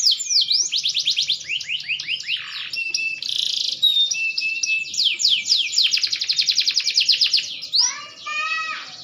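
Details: Green canary, growing older, its song said to be getting better: varied high trills, fast downward slurs and a brief buzzy stretch, closing with a few lower harsh chirps.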